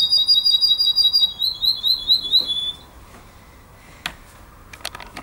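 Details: Purebred Russian canary, trainer bird for young birds, sings a bright, high, rapid trill of repeated notes for under three seconds, then falls quiet apart from a few faint clicks.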